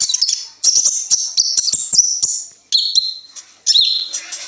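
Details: Master song of a kolibri ninja sunbird with winding phrases, played to prompt young birds to sing. Shrill, high whistles and quick twittering slides come in three bursts, each fading out before the next begins.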